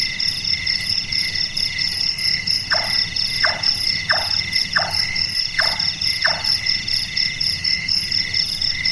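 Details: After a few seconds of insect chorus alone, a nocturnal large-tailed nightjar (burung tukang) gives a run of six carpentry-like knocking notes, each falling in pitch and spaced well under a second apart, then stops.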